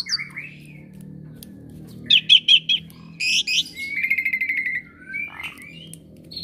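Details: Pet Asian pied starling, praised for imitating other birds, produces a few squawks, a quick set of four bright notes, then a long trilled rattle and short slurred whistles over a steady low hum.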